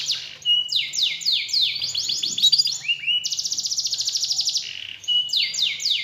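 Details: Canary song played to provoke a lazy, quiet canary into singing actively again: fast descending sweeps, buzzy trills and long rapid rattling rolls, bright and high-pitched, with a faint low hum underneath.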